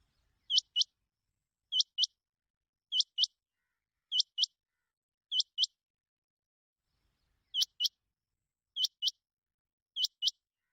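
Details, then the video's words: A quail, recorded as a hunting lure call, gives high, clipped double notes, each pair sharply doubled, repeated steadily about every 1.2 seconds against a silent background. "chinga ki awaz"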